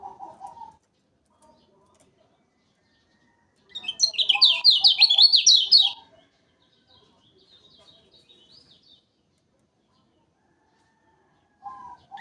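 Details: Lure recording of a Lombok lemon-bellied white-eye, a bird kept for song competitions: long quiet stretches broken by a two-second burst of quick, zigzagging high twitters, with brief low whistled tones at the start and end.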